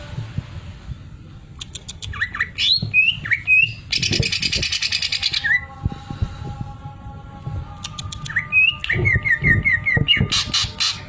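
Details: Greater green leafbird in full song with sewing-machine mimicry filler: rapid rattling buzzes, sharp clicks, and a run of bright repeated whistled notes near the end, over a low background rumble.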